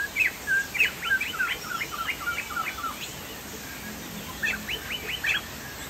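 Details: Chinese hwamei said to be from Sumatra, singing vigorously: fast series of sharp, steeply sweeping whistled notes in two bursts, the second after a brief pause, with a low hum and hiss beneath.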